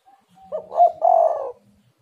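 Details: Spotted dove call used as a lure to get other doves calling: a single mellow cooing phrase, a short soft note leading into a stronger, slightly rough, two-part coo that fades away.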